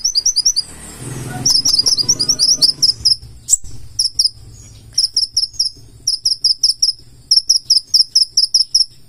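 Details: Purple-throated sunbird (konin, kolibri ninja) in energetic 'gacor full isian' song: very high, thin, sharp chirps in rapid trains of doubled notes, a brief pause near the middle, then renewed quick bursts; faint low hum underneath.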